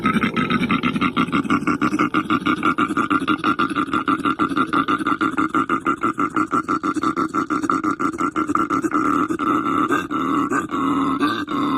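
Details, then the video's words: Australian bustard giving a low, rough, grunting call, pulsing steadily about twice a second without a break. "SOUND OF AUSTRALIAN BUSTARD BIRD"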